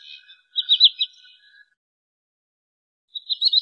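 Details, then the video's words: Wood sandpiper call used as a trapping lure: a short run of high, clipped whistled notes after a faint lower murmur, a pause of over a second, then another rapid high series starting. "SUARA BURUNG TRINIL SAWAH COCOK UNTUK MIKAT atau PIKAT"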